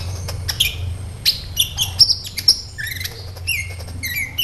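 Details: Sunbird (kolibri ninja) in lively song: high thin chips and brief whistled notes, then lower downslurred twitters near the end, delivered in quick irregular bursts over a faint low background hum.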